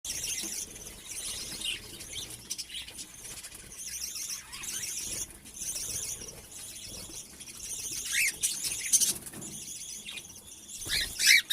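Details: Breeding cockatiels give a busy run of high, scratchy chirps and squeaks with a few louder shrill notes.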